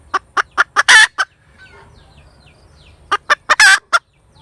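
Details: Hen chicken cackling: a run of short, sharp clucks builds to a long, loud, harsh drawn-out note. After a quiet gap, a second bout repeats the same cluck-cluck-then-squawk pattern.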